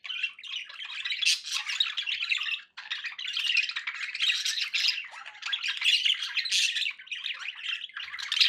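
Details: A long stretch of pet budgie warbling with overlapping chirps, squeaks and grating notes, interrupted by a single brief pause.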